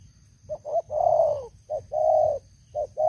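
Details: An old decoy spotted dove with a big voice, caged for luring: two short soft notes, a long coo falling at the end, a clipped note and another held coo, then more short notes, with a low hum behind.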